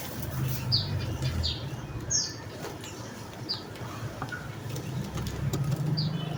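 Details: Javan munia, emprit bondol jawa, calling with a quick irregular series of brief high downslurred chips, some overlapping, over a low humming background.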